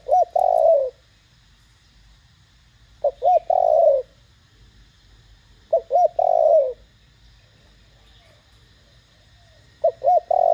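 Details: Spotted dove singing in the loud, clear 'thổ đồng' voice style used to provoke other doves into answering; low phrases of two or three short hooting notes then a long, falling coo, repeated about every three seconds.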